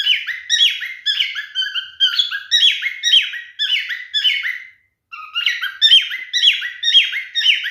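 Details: Hormonal male cockatiel, a pet bird, calls and sings to a female in courtship. Fast series of harsh, sliding whistled notes, roughly two each second, a short silence near the end, then more.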